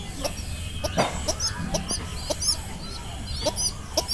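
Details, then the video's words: A young village pigeon gives short, squeaky peeps with faint high chirps, repeated irregularly about every half second over a low background rumble. "Baby pigeon sound"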